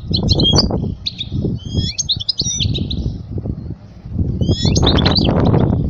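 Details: Goldfinch song meant for young birds to learn: high twittering, buzzy phrases in two bursts, partly over loud, low rumbling background noise.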